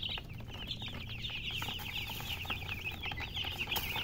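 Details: A brood of chicks keeps up a steady, high-pitched peeping chorus with dense, overlapping slurred chirps throughout and a low hum underneath.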